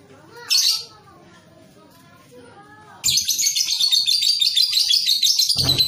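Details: A young (paud) lovebird gives a long, dense run of shrill, high twittering chatter with no pauses, after a quieter opening with a brief hiss and softer lower notes.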